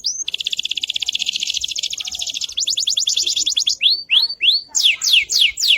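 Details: AFS canary singing as a tutor bird: a long, fast, even trill, then a quicker rattling series, slowing into loud slurred whistles repeated about twice a second.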